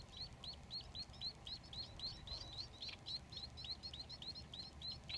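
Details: Society finch chicks, three babies in a nest, begging while being fed by their father: rapid, high, thin chirps repeated about four times a second in a steady stream, with a low background hum.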